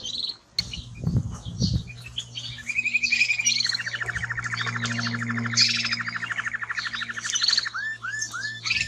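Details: Male timbrado canary delivering a long, rolling, bubbling trill that holds steady for several seconds, framed by high twitters and ending in a few looping downslurred whistles; a low steady hum runs underneath.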